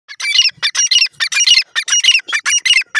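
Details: Francolin, a dakhni teetar, calling: a rapid run of loud, harsh, squawking notes packed in short bursts about four per second, raspy and high-pitched, continuing without pause, with no other sounds.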